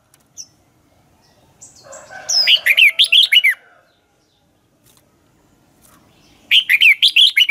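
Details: Red-whiskered bulbul lure bird in dueling song: a buzzy rising lead-in, then six quick ringing downslurred whistles, and after a pause a second rapid phrase of similar notes.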